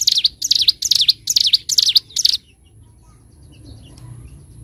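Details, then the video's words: Bar-winged prinia in 'ngebren' style for a bird-training master: five or six quick, high swooping notes run together for about two seconds, then stop, leaving a quiet background with faint low rumble. "Masteran Burung CIBLEK GUNUNG (CIGUN) Gacor N3mbak, Ngebren"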